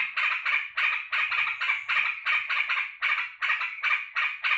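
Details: Sooty-headed bulbul in a cage, glad that its keeper is back from work, repeats short harsh, buzzy chatters in a steady stream of closely spaced bursts.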